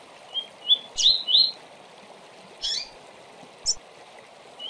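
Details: Double-collared seedeater giving the rapid tui-tui song used to train future tournament singers: three or four rising whistled notes in quick succession, followed by spaced sharp high chips, with a hissing background.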